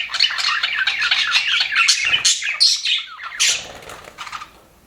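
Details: Aviary budgerigars, described as happy, warble in rapid scratchy chirps and short squawks for about four seconds before the chatter fades away.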